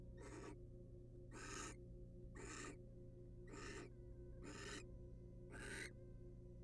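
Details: Wild male barn owl preening his mate's feathers inside a nest box; six rasping, noisy hisses, each about a third of a second long, come at roughly one-second intervals above a constant background hum.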